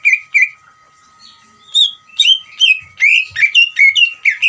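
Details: Provocative ngeriwik trill from a greater green leafbird: two rich whistled notes, a pause of about a second, then quickening clusters of buzzy, down-slurred chirps; occasional soft knocks and a steady faint hum in the background.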